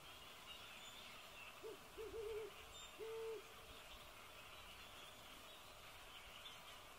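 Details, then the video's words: A great horned owl gives deep, soft hoots: a short stuttered pair followed by a longer, steady hoot, over a faint background hiss. "Great-Horned Owl Sounds"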